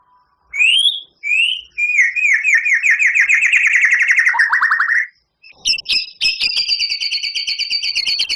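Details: White-rumped shama, a champion singer with long rough fillers: two rising whistles, a rich rolling trill over three seconds, a short gap, then a steady buzzy double-pitched rattle to the end.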